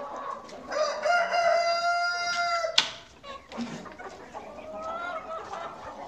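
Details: Farm rooster giving one long, level, strongly harmonic crow lasting about two seconds and ending with a sharp click, followed by quieter clucks and a fainter distant crow.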